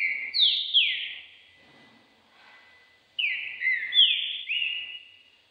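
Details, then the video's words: Green-winged saltator, a competition songbird preparing for the season, sings two fast whistled phrases of stacked downward-sliding notes, each about one to two seconds long, with a quiet gap between them. "Trinca ferro Thor se aprontando pra temporada"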